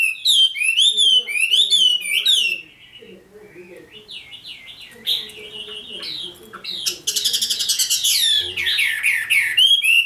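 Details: Caged red-whiskered bulbul in Vietnam, a decoy bird singing to challenge rivals: bright warbled phrases of looping whistled notes, loud at first, then quieter, and ending in a dense rush of overlapping notes.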